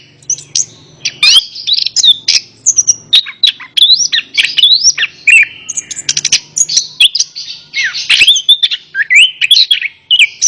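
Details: Energetic orange-headed thrush song for a bird that won't sing: a fast stream of looping whistled notes, sharp chips and buzzy trills, with a faint hum in the first seconds.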